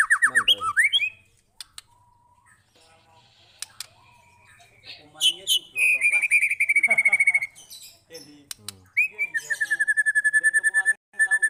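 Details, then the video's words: White-rumped shama long lure song, meant to provoke other shamas into singing: rapid pulsed trills, a falling whistled slur and a long buzzy rattle near the middle, then an evenly pulsed trill repeated quickly near the end. "Murai Batu Gacor panjang"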